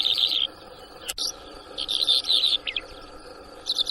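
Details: Newly trapped Bimaculated Lark at Shamani, Lakki Marwat, 6 March 2024, giving bursts of high, rattling chirps in short clusters with pauses between; a sharp click interrupts midway over a faint background hiss.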